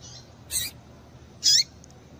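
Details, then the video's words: Two brief, piercing chirps from a female double-collared seedeater, used to stir up the male; the second call is louder and falls sharply in pitch, with quiet background hiss between them. "Piado de Fêmea de Papa capim para Esquentar Papa capim"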